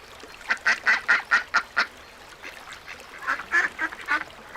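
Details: Little ducks calling: two bursts of short, nasal quacks repeated rapidly, about two per second, with a pause between the bursts.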